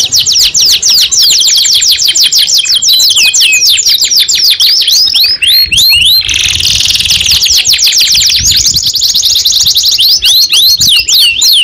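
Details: Pet canary, a young bird being trained to answer, sings long rapid trills of high falling notes, with a short noisy rushing passage near six seconds before the trilling resumes.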